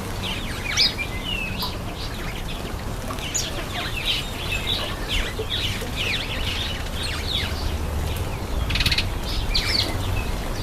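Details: Cape sparrow bathing, giving short, bright chirps in quick, uneven bursts over a steady low rumble, with occasional splashing and wing flutters.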